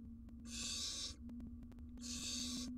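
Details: At a wild barn owl nest box, during a family feeding when the male delivers a jird: two long, breathy screeching hisses over a steady low hum.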